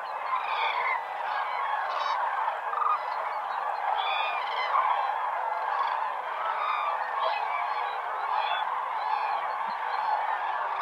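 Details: Large flock of common cranes (Grus grus) calling without pause at Lake Hornborga in early morning just before sunrise, loud rolling trumpeting fanfares overlapping into a dense ringing chorus.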